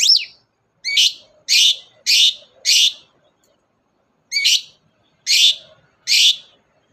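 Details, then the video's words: Lively long-tailed shrike used as a lure to set off reluctant birds: one rising whistled note, then loud harsh rasping bursts repeated about every half second, a short pause, and more rasps. "BURUNG CENDET GACOR DOR, pancingan ampuh cendet gak mau bunyi"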